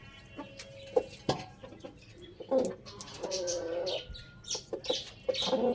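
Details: Rooster in the morning giving a drawn-out, harmonic, nasal crow lasting about a second, after scattered short clucks and clicks, with a brief crowing note near the end and other chickens clucking around it.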